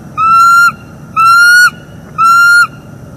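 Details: Three evenly spaced, drawn-out piping whistles, about one per second, each rich in overtones, from a mating pair of wild bald eagles, northeast Florida nest camera, morning of 25 October 2021.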